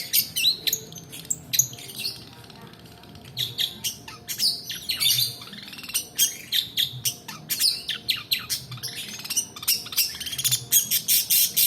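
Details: Lure recording of a long-tailed shrike, meant to prompt reluctant birds to sing and to tutor others. Harsh squawks, clipped chirps and fast rattling bursts come in busy clusters, broken by brief quieter gaps.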